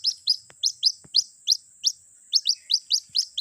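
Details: White-breasted Waterhen chick calling its mother in a lure recording: clear, high, upslurred peeps repeated about every quarter second, with two faint clicks.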